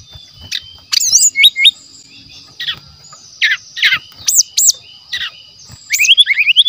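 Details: Natural wild-forest song of a brown-chested jungle flycatcher, used as a lure. Scattered harsh notes and high hooked whistles with pauses, closing with a quick rising series of chirps.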